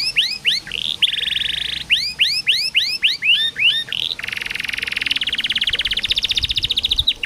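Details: Canary song played as therapy to get stalled canaries singing: upswept whistles alternate with short buzzy trills, then a long, even, rapidly pulsing roll lasting about three seconds before a final whistle.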